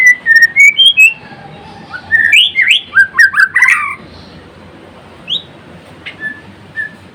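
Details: White-rumped shama of the Murai Blorok variety in full, lively song: clear whistled notes near the start, then a burst of loud, varied rising and falling whistled phrases, trailing into a few soft, widely spaced notes over faint background hiss.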